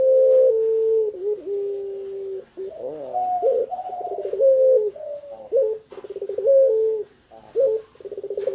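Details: Out of its cage, a fully tame puter pelung collared dove sings long level coos, rising swoops and repeated rapid trains of throbbing coo pulses, each run ending in a sustained note.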